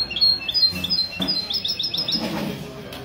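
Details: Mistou-style song of a European goldfinch at a Ksar El Kebir café, Morocco, on a February 2020 Sunday morning: quick high chirped notes strung into a fast tinkling trill, with voices murmuring behind.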